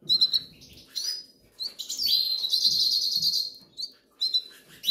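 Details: Goldfinch chicks in the Canary Islands, hungry and begging: sharp high cheeps, then a long continuous squealing, buzzy cry from several young, over a low rumbling background.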